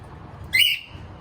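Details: Cockatiel let out of its cage; one short, bright, rising whistled note, over a low background rumble.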